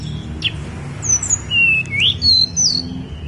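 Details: Snowy-browed flycatcher singing on Gunung Songgo Langit: sweet, high whistled notes, some level and some sliding up or down, delivered in a relaxed, uneven sequence over soft low background noise.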